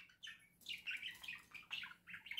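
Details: Pet budgerigars indoors in November 2024, the male reassuring his hesitant mate near a newly mounted cage house: continuous busy warbling chatter of overlapping chirps and squeaks, with a low room hum beneath.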